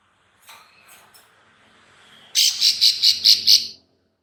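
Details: Female bar-winged prinia clicking call, used to lure birds: faint scratchy sounds, then a loud harsh burst of six rapid high clicks lasting about one and a half seconds.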